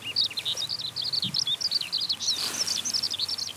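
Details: A skylark singing as it climbs skyward in song flight. The song is a fast, unbroken run of thin, twittering high notes with varied chirps and slurs, heard against soft outdoor background.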